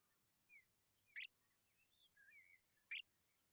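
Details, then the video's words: Tawny pipit babies calling from hunger, giving two sharp, rasping begging bursts almost two seconds apart, with soft sliding whistled notes between them from birds nearby. "Tawny pipit bird babies are very hungry"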